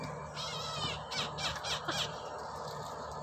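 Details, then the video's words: Brahminy kite calling while eating: harsh, wheezy squawks with stacked rising overtones, given in a quick run of bursts over a noisy background, with people talking nearby. "SUARA ELANG BONDOL MAKAN"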